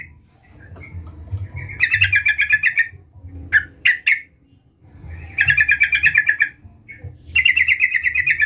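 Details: Vigorously calling yellow-vented bulbul challenging a rival, used as a lure: rapid rattling bubbly phrases about a second long alternate with a few sharp clipped chips, over faint low hum.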